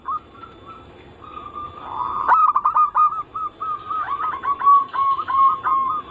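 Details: Zebra dove song from a lure mix of anggungan, local, Bangkok and crossing styles, meant to make other doves sing. A faint soft trill builds into a sudden loud outburst of quick staccato coos, then bubbling rolling notes continue.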